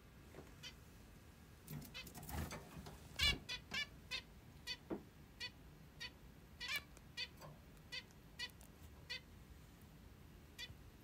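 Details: A pet zebra finch, called a plump beauty, in the morning utters soft short nasal call notes spaced about every half second to second, with a few faint rustles.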